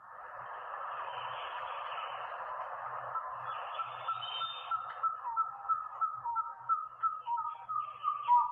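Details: A pair of Red-breasted Partridges duetting in Borneo's Crocker Range: after a hissing, noisy start, clear mid-pitched whistles repeat quickly and grow louder, with paired notes overlapping.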